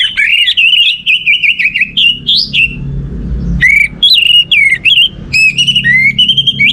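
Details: Orange-headed thrush song used as a lure to get other birds singing, a long run of loud, clear whistled phrases wavering and rising, with short sharp notes, over a low background hum.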